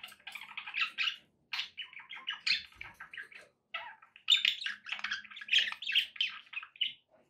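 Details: Pet budgerigars singing to encourage a parrot to eat and sing; continuous buzzy, squeaky warble with rapid rasping trills and chirps, pausing briefly near the middle, with a faint background hum.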